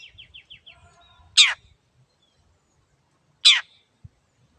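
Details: Lively long-tailed shrike (cendet), kept to prompt quiet birds into singing, opens with a quick run of five short high chirps, then gives two loud, scratchy, downward-sweeping rasps about two seconds apart over soft low noise.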